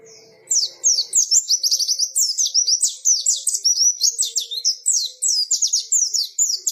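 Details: White-eye delivering a lively ngalas-style song: after a brief pause, a long unbroken torrent of high, rapid, down-slurred chirps and twittering notes continuing to the end.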